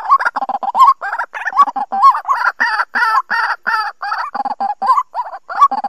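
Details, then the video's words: Lure recording of a white-breasted waterhen for bird trapping, 2020 season. Steady, chattering series of hoarse croaking notes, some with upward-bending hooks, and a thin higher tone over part of the sequence. "Tiếng Quốc Bẫy"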